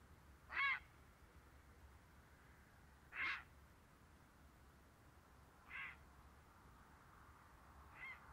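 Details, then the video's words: Four rough, hoarse calls from a grey heron, about two and a half seconds apart and growing fainter toward the end, over a steady background hiss and low rumble. "Pilkasis Garnys"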